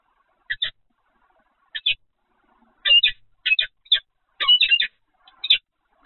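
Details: Peregrine falcon at the Evoluon nest site, recorded 7 February 2020 at 15:55: harsh, clipped double calls given in short bursts, irregularly spaced over several seconds, with quiet between them.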